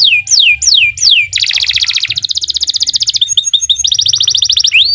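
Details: Canary of the Kenari Nusantara kind delivering a long, unbroken training song for other birds, opening with sweeping downslurred whistles, then dense rapid trills and high repeated chips, closing with a rising whistle.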